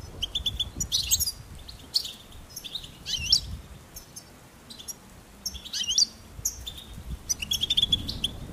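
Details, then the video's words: Goldfinch delivering separate bursts of quick, high chirps and tinkling trills with quiet gaps between them, ending in a busier twittering phrase. "Charming Goldfinch Peep"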